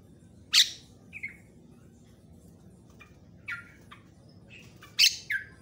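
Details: Javan myna recorded as a master song for training other birds, with varied notes said to agitate other mynas; two loud harsh rasping bursts with short squeaky whistled and chattering notes between, over a quiet low background hum.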